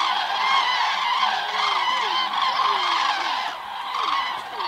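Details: Common cranes on the Hortobágy steppe in Hungary, autumn migration stopover, evening return flights to roost: loud overlapping trumpeting calls in surging waves, with lower descending call notes threaded through, briefly fading near the end.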